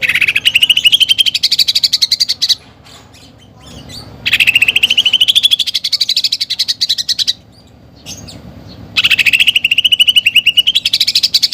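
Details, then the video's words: Greater green leafbird, a singing bird whose song is full of fillers imitating a fighting sparrow and a woodpecker. Three loud bursts of rapid, buzzy pulses, each rising in pitch, separated by short silences. "CUCAK IJO GACOR FULL ISIAN TEMBAKAN GEREJA TARUNG DAN PELATUK BAWANG"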